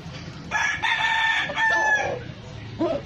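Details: Red gamecock crowing: a loud, rich, harmonic crow lasting about one and a half seconds in two joined phrases, followed by a brief lower call, over steady background noise.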